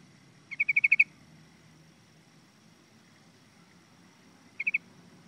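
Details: Yellow-vented bulbul, known as pirok pirok or parago: a quick run of about six bubbly, evenly spaced notes, followed a few seconds later by a shorter three-note burst, over a soft background.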